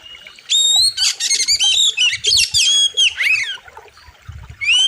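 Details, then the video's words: Oriental magpie-robin (kacer) master song for training birds, wild river style: long run of loud varied whistles, sweeping slurs and scratchy buzzes in quick succession, ending with a rising whistle after a pause. "KACER SADIS & KERAS, Ultimate Wild River | Masteran Kacer Gacor Tajam Full Isian"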